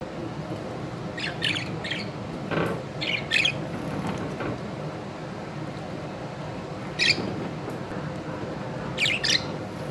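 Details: Budgerigars during shower time give short, scratchy squawks and chirps in scattered bursts over a steady rushing background.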